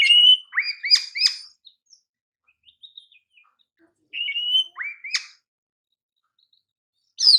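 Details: Oriental magpie-robin, a champion kacer for masters, sings short phrases of a whistled note followed by two upswept chirps, repeated after a quiet gap of about three seconds, with a sharp note at the end.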